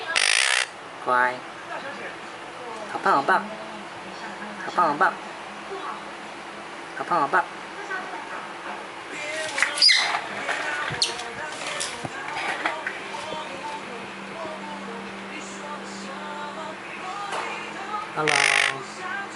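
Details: A young monk parakeet, one week in its new home and starting to imitate speech, gives harsh, broadband squawks and chattering notes while a person nearby repeats words such as "hello".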